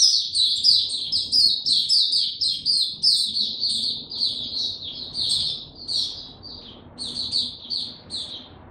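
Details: White-eye in captivity, no health supplements given, 29 April 2022, delivers bursts of bright, high chirping notes about one and a half per second, fading toward the end amid low background hum.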